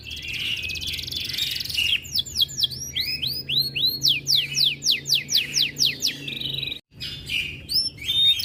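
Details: Canary in breeding condition growing aggressive on hearing other birds: a buzzy high trill, then arched whistled notes and long series of steep downslurred chirps, a brief pause, more high notes.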